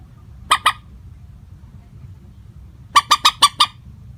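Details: Common moorhen lure call without pitch variation: a pair of sharp rasping notes, a pause of two seconds, then a quick string of five harsh kek notes, over light low background noise.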